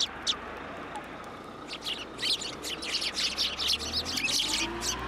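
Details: Many sparrows chattering as they come to be fed from a post at a Tenmangu shrine on 2 January 2023; a near-continuous stream of quick, high overlapping chirps builds after the first second.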